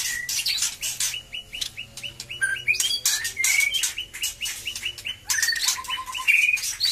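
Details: White-rumped shama song after the moult, the bird beginning to sing eagerly again; a run of evenly repeated short whistled notes, then rich slurred whistles and a brief trill.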